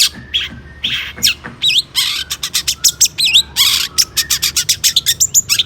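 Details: Long-tailed shrike singing excitedly to trigger other shrikes: loud broadband harsh bursts, twisting whistled phrases, then a quickening series of short sharp clicks and chips.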